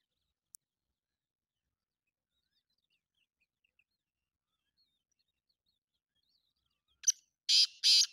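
Black francolin giving a short burst of three loud, harsh, grating notes near the end, after several seconds of near silence broken by a faint click.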